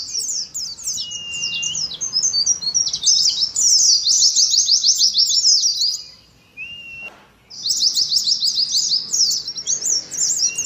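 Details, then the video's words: Oriental white-eye singing in the ngalas style: rapid, dense, high twittering phrases. Thin steady whistles run beneath. The chatter breaks off briefly around six seconds, then resumes just as fast. "TERAPI ADU NGALAS SAAT KOLONI PLECI"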